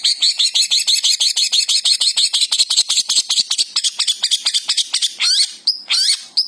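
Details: Javan long-tailed shrike in vigorous song: a quick rattling series of high chirps that slows into varied whistles and buzzy, squeaky notes near the end.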